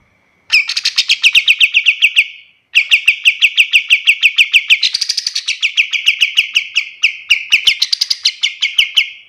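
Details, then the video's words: Pied triller song meant as a master track for other songbirds: two long trills of quick, evenly spaced sharp notes separated by a short pause. The second trill rises briefly in pitch before running on. "Suara kapas tembak paling bagus untuk masteran burung lain"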